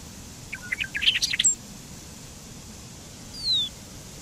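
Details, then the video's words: A Bobolink gives one second of jumbled, bubbly, tinkling high notes, then falls quiet; a single thin, sliding whistle follows two seconds later. "Canto del Charlatán"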